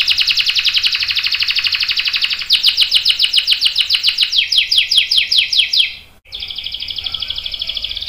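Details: Vigorously singing canary giving a long roll meant as tutoring for young and adult birds: dense high buzzy trill shifting into quicker descending chip series, a brief break, then a thin sustained rattle.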